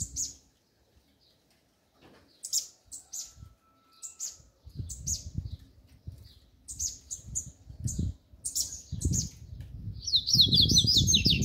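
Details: Double-collared seedeater performing its 'mexida do grego' song: clusters of sharp high chirps coming faster and faster, ending in a loud rapid zigzag trill, with fluttering and rustling noises underneath.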